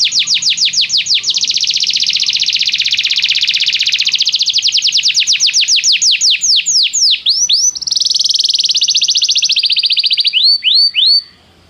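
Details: Canary training song meant to make a canary sing at once: a long, loud, rapid trill of high repeated notes that slows into sweeping whistled syllables, a buzzy passage, and final swooping notes before stopping.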